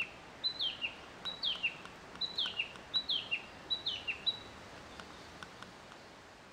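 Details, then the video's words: On its breeding ground on 25 May 2013, after two males had been disputing territory with threat calls, a male Narcissus flycatcher sings its usual song: five clear, high whistled phrases, each slurring down from a bright note, about one per second, over light hiss. "キビタキ♂-3 威嚇とさえずり♪ A song of a Narcissus Flycatcher(male)"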